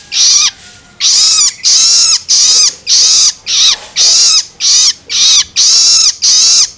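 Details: Long-tailed shrike chick's begging screeches, used to excite adult birds: after a short quiet opening, a fast series of about nine harsh, buzzy rasps follows at a steady rhythm.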